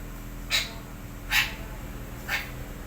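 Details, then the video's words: Morning red-breasted parakeet uttering three rasping, screechy calls about one second apart over a steady low hum. "KICAUAN MERDU BETET SUMATERA PAGI HARI"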